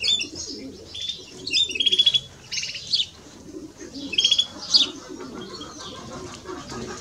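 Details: European greenfinches, male and female, singing: lively twittering phrases with rapid trilled chirps and whistled notes in the first five seconds, then fading to quiet.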